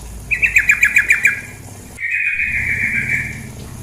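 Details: Chattering call of a female sooty-headed bulbul: a fast run of about eight clipped notes, then after a short gap a sustained rattling trill, with flowing water in the background.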